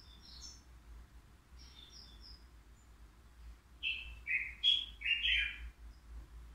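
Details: Caged European goldfinch, three years old, at the Qriaa bird market: thin, quiet high notes at first, then a loud run of rolling, buzzy twittered phrases in the second half.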